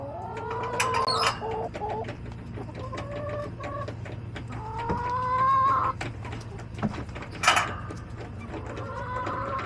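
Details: Backyard chickens on a homestead in July, hens clucking in overlapping harmonic calls, some rising and drawn out, with sharp clicks and scratching noises between calls and a steady low hum underneath.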